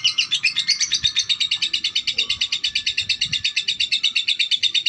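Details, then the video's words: Female lovebird giving a fast stream of shrill, high chattering notes, repeated nearly three times a second without pause. "Lovebird betina"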